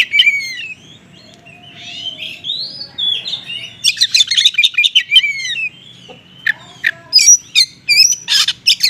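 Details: Oriental magpie-robin singing konslet style with small-bird material, a lure for magpie-robins slow to respond. Soft swooping whistles build into fast, loud chattering phrases, then a pause and sharp high chirps repeated about twice per second.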